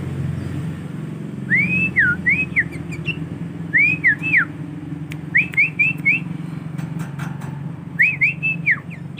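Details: Tame young male sooty-headed bulbul kept in a collection, practising song: repeated groups of three or four rising-and-falling whistled notes every two seconds or so, over a low steady hum and occasional clicks.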